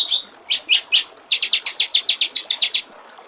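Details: White-rumped shama singing 'gericik air' style for songbird training: three spaced, clear upslurred notes, then a steady run of about twelve quick repeated chirps.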